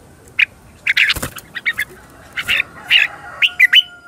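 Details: Red-whiskered bulbul lure song used for training: an uneven string of short chirps and harsher squawky notes, bunched in twos and threes, with a clap-like noise near the start.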